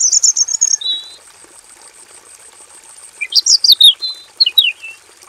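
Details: Aviary-kept robin singing: a fast run of even high chirps, a pause, then a lively cluster of sliding whistles and downward-swept notes. A faint constant high tone sits behind the song.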